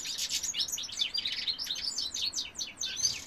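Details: Male European goldfinch singing, recorded in 2018: a fast, continuous tinkling twitter of high, quick notes and short slurred trills with no pauses.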